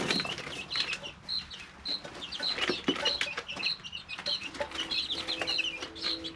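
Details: Several three-week-old chicks kept in a brooder: repeated shrill peeps and short trilling chirps in dense bursts, with pecking clicks, shuffling, and a faint steady hum toward the end.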